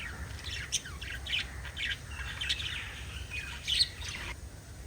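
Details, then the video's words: Pet lovebirds chirping, shown kissing and interacting: sparse, sharp high chirps and short squeaky notes scattered over a few seconds, with a steady low background hum. "LOVE BIRDS CHIRPING sounds"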